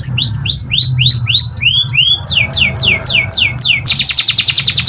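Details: Canary in full song: a string of clear whistled notes that rise and fall, each repeated about three times a second, shifting higher and faster, then breaking into a rapid buzzing trill at the end.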